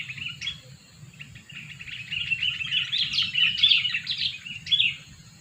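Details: Sooty-headed bulbul used as a lure bird, two years old, produces a continuous tangle of bright chirps and slurred notes that grows louder toward the middle. A thin high hiss and a low hum sit beneath.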